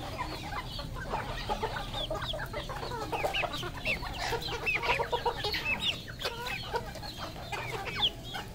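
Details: Red junglefowl flock on a Cambodian farm: dense overlapping high peeping and chirping notes, rising and falling quickly, many birds calling at once without pause, over a low constant hum.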